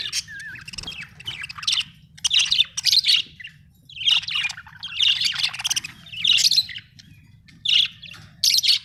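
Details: Australian budgerigar giving a stream of scratchy, squawky warbles and chirps in clustered phrases with short breaks, bright and high, over a low background hum.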